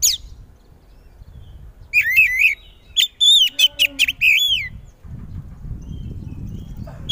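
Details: Oriental magpie-robin, a caged songbird, singing loudly to make other magpie-robins respond: after a quiet start, quick whistled notes and falling slurred phrases for about three seconds, then low background noise and a final sharp note.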